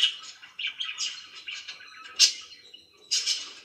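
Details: Domestic budgie giving soft, scratchy warbles that build to a loud sharp squawk midway, then a short quiet gap and another brisk chirping burst.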